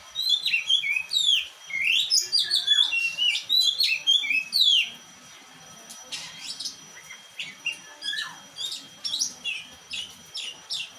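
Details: Loud, dense song from a black-and-white Oriental magpie-robin: tumbling whistles, quick chirps and sweeping notes run together for several seconds. After a short lull, sharper staccato chips and whistles follow.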